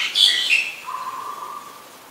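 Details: Black-collared starling (Gracupica nigricollis) calling in rain at Ubon Ratchathani, Thailand, 15 October 2021: two quick, harsh, high squeaky notes, then a long, steady, lower whistle trailing off, over a soft hiss of rain.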